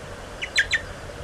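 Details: American goldfinch young being fed, 30 July 2011; three quick squeaky down-slurred chirps over a faint steady hum.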